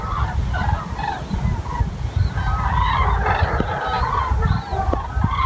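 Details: A group of common cranes near Wiesbaden-Auringen, with scattered honks at first building into a thick overlapping trumpeting chorus, over persistent low rumbling noise.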